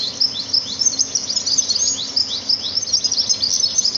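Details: Sparrows singing in nature, a continuous stream of very high, thin, rapid twitters and short downward-sweeping notes, constant throughout.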